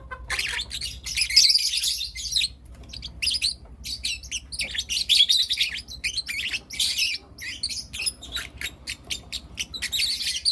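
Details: Four young lutino lovebirds, captive pets, in the morning; dense bursts of sharp, high chirps and squeaky twitters, rapid and overlapping, with brief pauses and a busy, chattering flock feel.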